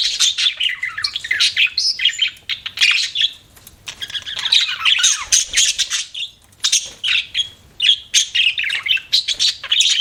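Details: Budgerigars kept as pets chatter in bursts of scratchy squawks and chirps, with short lulls between runs of rapid notes.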